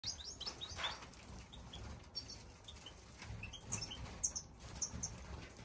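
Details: European goldfinch, a mutation bird kept in an aviary in Marseille in December 2021, gives bright, tinkling chirps and twitters, scattered irregularly through high pitches, over a low background rumble.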